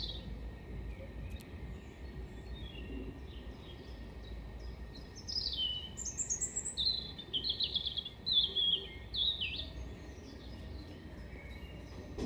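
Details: European robin song, Hengelo, 5 May 2018: after several quiet seconds, a long phrase of high, rapid, trilling and sliding notes with thin squeaky accents, then fading back to low background noise.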